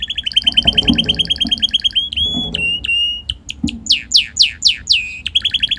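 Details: Tame red canary in full song in a garden, happy to be outside: a rapid mechanical trill of repeated high notes, brief whistled tones, then loud sweeping downslurred whistles and another quick rattle.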